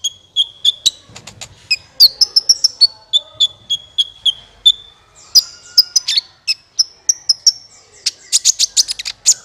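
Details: Sunbird calling, played as a lure for trapping: continuous string of sharp high chips and short thin whistles, closing in a fast burst of loud ticks.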